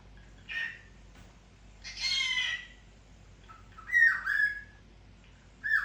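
A cockatiel gives four harsh, squawky calls about a second apart, some rising into a short whistled chirp, against a quiet background hum.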